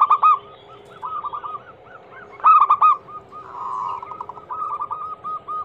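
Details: Female zebra dove, local type, calling a male as a lure: loud bursts of staccato coos at the start and middle, with softer rolling notes and a blurred trill between.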